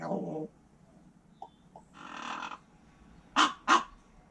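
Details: Pet common raven alone indoors, caught on a hidden camera while its owner is out, makes a low rough rasp, two tiny clicks, a long harsh hissing noise, then two loud explosive bursts.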